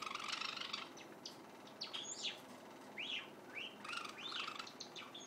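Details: Juvenile white Java sparrow rehearsing song indoors: a noisy rustle at the start, then rising and falling arched notes repeated a few times over a hissy background.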